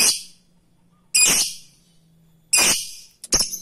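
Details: Lovebird, a fighter-type bird, used to provoke rivals into long trilling: three loud, harsh, high-pitched bursts about every 1.3 seconds, the last broken into two quick notes, with a faint low hum in between.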